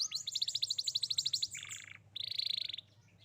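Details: Young Atlantic canary singing, used to prompt a silent young canary: a fast even trill of sharp notes around five per second, a lower buzzy roll, then a high rolled trill; faint hum.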